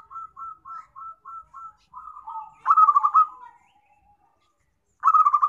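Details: Zebra dove call played as a trapping lure: a string of short, even mid-pitched notes, then a louder rolling, stuttering coo with a falling tail, and another burst of the rolling coo after a pause; no other sounds.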